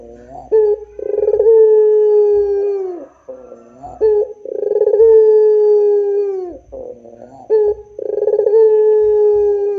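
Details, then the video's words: Repeated puter pelung cooing from a dove: three phrases roughly every three and a half seconds, each a short rolled stutter leading into a long, level, low coo that slides downward at the end, with soft hoots between. "SUARA PUTER PELUNG GACOR DOR !!! ISTIMEWA !!!"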